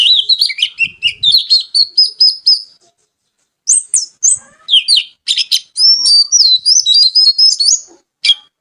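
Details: Loud, varied song of an oriental magpie-robin: rapid sequences of sharp whistles, chips and buzzy slurred notes, pausing briefly near three seconds before resuming with rich, warbling phrases in a quiet setting.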